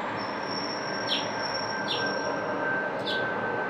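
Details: Adult male House Finch in Elkridge, Maryland, on 9 April 2024 gives three short, bright chirps about a second apart over a steady rushing background with a thin high whine, like passing trains.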